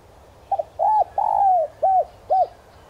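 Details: Spotted dove cooing as a decoy for wild doves, 'son' voice style: stuttered double note, a rounded coo, a long gently falling coo, then two short arched notes spaced evenly.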